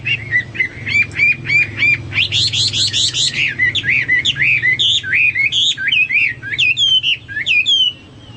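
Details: Hwamei in energetic song as a tutor bird: repeated rising whistles, a fast trilled burst, then varied looping whistled phrases given in quick succession.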